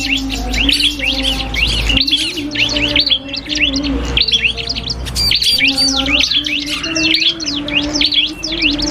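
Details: Cipoh kristal (common iora) singing in a duel with a prinia, used as training song for cage birds: dense rapid chirps and rising-falling whistled notes, overlapping constantly, over a steady low hum.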